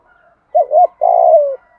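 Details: Spotted dove luring wild doves gives one phrase: a quick wavering double note, then a longer steady coo that gently falls in pitch.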